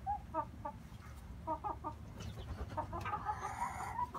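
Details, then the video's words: Inbred red junglefowl brothers: a run of brisk, evenly spaced clucks, followed by a longer, harmonic, drawn-out call near the end, with low background rumble throughout. "Red jungle fowl"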